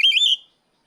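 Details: Oriental magpie-robin calling to challenge a rival, ngeplong style: a single brief, loud whistled phrase that wavers in pitch, then cuts off into silence.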